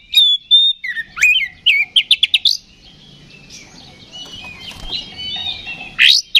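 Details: Oriental magpie-robin song ('kacer ngeplong') intended to raise aggression in other magpie-robins: loud whistled and buzzy notes for two and a half seconds, a quiet stretch with distant chirps, then one more loud burst.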